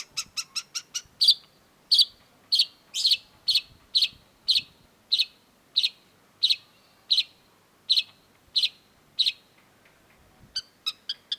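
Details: Energetic long-tailed shrike song: a quick burst of thin ticking notes, then a long series of harsh, buzzy notes repeated at a steady pace of more than one per second, ending with more rapid ticks.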